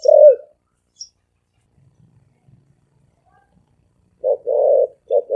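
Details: One low hollow coo from a spotted dove, then near-silence for several seconds, then a quick pair of coos, short then longer, in fast 'thổ ồm vang' cooing style.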